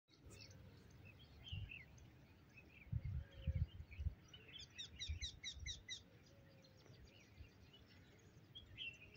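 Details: A Eurasian wryneck sings at Kfar Rupin, Israel, in September 2023: a quick, even run of about seven nasal, ringing notes, with low wind rumble and scattered chirps from other birds.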